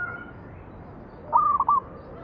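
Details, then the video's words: Zebra dove, a local perkutut, sings a manggung lure song meant to draw other doves into song: a single brief burst of soft cooing notes late in the recording after a quiet stretch, with steady low background noise. "PANCINGAN BURUNG PERKUTUT MANGGUNG"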